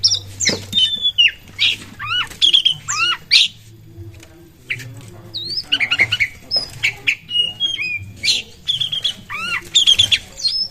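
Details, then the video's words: Lively Oriental magpie-robin (kacer) song used as a lure to provoke other birds into singing: dense, scratchy series of squawky notes mixed with clear whistled slurs and chirps, delivered in fast bursts over a low hum. "pancingan burung kacer gacor pasti langsung buyi jos"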